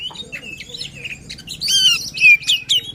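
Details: Oriental magpie-robin in emotional song to coax a lazy bird into singing: soft scattered notes at first, then louder clear whistles and sweeping high phrases near the end, over a low background hum.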